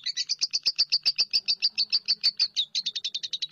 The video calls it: SUARA BURUNG LOVEBIRD